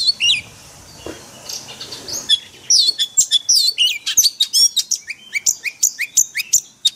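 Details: Oriental magpie-robin singing in forest-voice style, used for daily training of caged birds; after sparse high notes, a rapid run of loud whistled and chattering phrases, sweeping up and down, repeated without pause.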